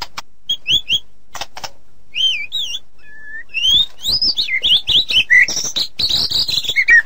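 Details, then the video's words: White-rumped shama song for tutoring songbirds: a few wavy whistled notes and a flat whistle, then a fast, rising stream of bright, twisting high notes. "Suara Masteran Burung Murai Batu"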